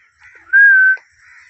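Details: Blue Indian ringneck parrot, a pet, giving a clear steady whistled note held about half a second, flanked by softer hoarse tones.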